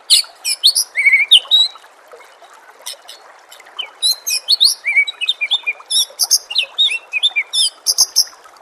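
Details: White-rumped shama song mixed with nature sounds and trickling water: bursts of very high, sharp chips and squeaky notes alternate with short whistled slurs, delivered in quick clusters separated by brief pauses, over a faint background hiss.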